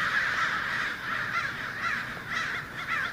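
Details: Congregating American crows in a Fresno, California neighbourhood, January, centred on an ironbark eucalyptus: a thick mass of simultaneous rough caws, some nearer calls briefly standing out above the crowd near the end.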